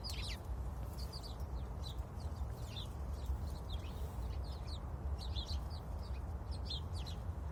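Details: A sparrow perched on a branch chirps busily: quick bright tweets in rapid bursts, several per second with brief pauses, set against a steady low rumble of background noise.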